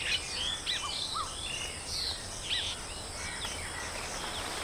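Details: Baya weavers at a colony produce bright twittering chirps and a few downslurred whistles in the first half. The chatter then thins to quieter scattered notes against a steady background hiss.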